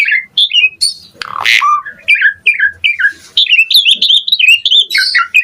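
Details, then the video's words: Asian pied starling song with full variation, played to get other jalak singing: chattering, squeaky notes in quick succession, interrupted by a harsh rasping burst, then a busy run of whistled chirps. "Pancingan Jalak Suren Gacor Mompa Variasi Mewah / Masteran Suara Burung Jalak Agar Gacor Full Isian"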